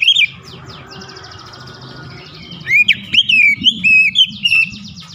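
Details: Oriental magpie-robin singing with its beak held wide, a sharp, punchy delivery: loud whistled notes at the start, a quiet pause, then a rapid run of clear rising and falling whistles and slurred phrases, with low hum beneath.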